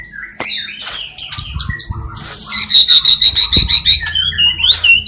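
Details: Energetic white-rumped shama from Cililin singing with imitations of sparrows, fighting lovebirds and kapas tembak: mixed chirps and buzzes, then a loud fast series of sharp high notes repeated about three times a second, ending in rising whistles.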